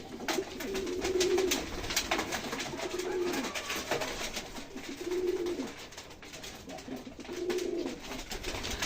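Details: Pigeons cooing while being fed on a foggy, cold morning: low, soft, droning coos roughly every two seconds, with light rustling and shuffling between them.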